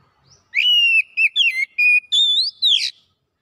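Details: Oriental magpie-robin singing in gacor style, unloading its repertoire: a long level whistle, short slurred notes, a rising whistle and a final harsh burst, delivered in quick succession against silence.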